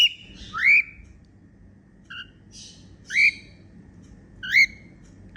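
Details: Happy whistling from a female cockatiel: upward-slurred clear notes with a few softer chirps and a brief scratchy note between, over constant low background noise.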